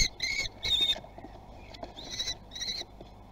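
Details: Common kestrel chicks at a nest in Théding, France, on 17 June 2020, competing to be first to eat. Loud, harsh, whining calls with strong overtones come in about five bursts of a quarter second each, over a low rumbling background.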